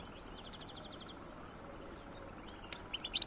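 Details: Wild European goldfinch singing: a fast, faint high trill of repeated notes at the start, then after a quiet pause a short burst of bright, sharp twittering chirps near the end, over a low steady background hum.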